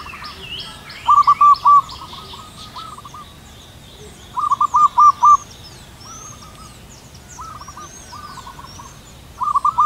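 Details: Zebra dove, a local wild bird, singing from a height on a cool morning under white clouds: rapid phrases of staccato cooing notes that run into longer drawn coos, repeated every few seconds with an echo. Faint chirps from other birds behind.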